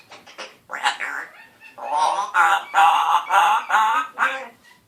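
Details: Male African grey parrot aged one, with a scratchy developing voice, mimicking words and a raspberry sound; several quick rough notes, then a long run of loud, nasal, buzzy syllables.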